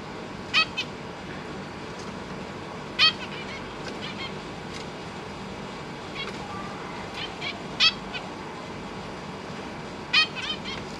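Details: Caged zebra finches, parents busy feeding three juveniles and three newly hatched babies in a big cage; sharp nasal calls with stacked overtones come singly every few seconds over a steady background hiss.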